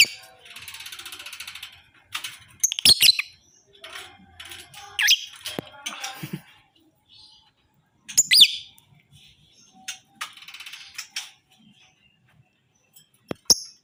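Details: Lovebird, tame but fierce, in 'ngekek' chatter: harsh buzzy rasping bursts alternating with sharp clicks and high squeaky notes, separated by brief pauses, ending with a few isolated clicks.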